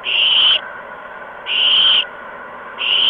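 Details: Nest of owlets receiving food deliveries of mice and a gopher, evening of March 13, 2015; three drawn-out hissing screeches, each about half a second, separated by pauses of roughly a second.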